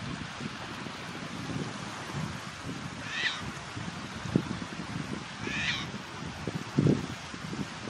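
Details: Sabine's gull at Baypoint Sandbar, Ottawa County, Ohio, on 28 September 2022, giving two short, harsh, grating calls about two seconds apart, over steady wind and surf with a few low thumps.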